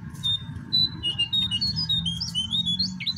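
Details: Babbler in the wild, at a place with many of these birds. Steady series of short high whistled and chirped notes, some rising and some falling, over constant low background rumble.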